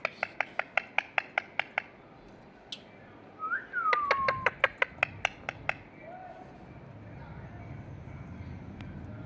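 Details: A pair of Indian ringneck parakeets in a garden: rapid sharp clicking notes in quick regular runs, a brief falling whistle in between, then quieter background noise.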